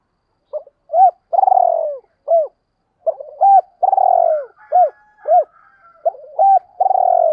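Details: A spotted dove repeats its luring call in close succession. Each phrase has short hooted coos, a drawn-out rolling coo that falls away, and neat clipped ending notes, and a faint higher twittering accompanies the second phrase.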